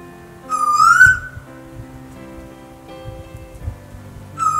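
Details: A lone male Eastern Koel (Eudynamys orientalis) in the Hunter Valley, NSW, gives a loud rising whistled call, starting another about three seconds later in a rising crescendo, over soft background music.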